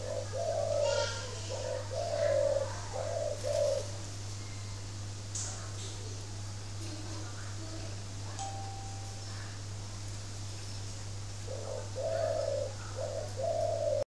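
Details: Kept spotted dove with a strange voice, Ba Vì district, Hanoi, northern Vietnam: a burst of deep hollow coos, a long pause with faint rustling and a thin whistle, then another coo series, all over a persistent low hum.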